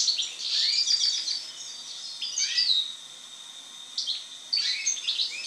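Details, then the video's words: European goldfinch singing after moult: fast liquid twittering of tinkling high notes and short trills in bursts, with a pause near the middle before a fresh twittering phrase. "European Goldfinch (Carduelis Carduelis) after moult song."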